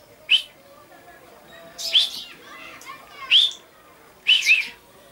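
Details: Common chaffinch recorded on 22 August 2013: four short, bright arched chirps spaced irregularly, each a quick rising-falling note, with faint background twitters between them.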